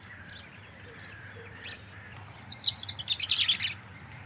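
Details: A European robin sitting in a garden tree in January, declaring its territory, gives a brief burst of thin, high, rapidly tumbling notes, preceded by a single high whistle, over a low steady background rumble.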